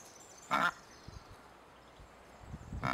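Cape Barren Goose giving two short, harsh, nasal honks about two seconds apart, with a little low rumble between them.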